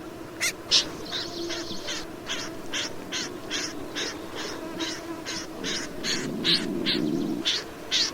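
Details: Snipe giving harsh, rasping notes in an uneven series about two or three per second, with steady low background noise and a swelling rumble near the end.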